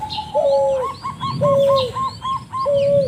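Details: Strange spotted dove call: three drawn-out, gently falling coos, mixed with a quick string of short, higher hooked notes and scattered chirps from other birds.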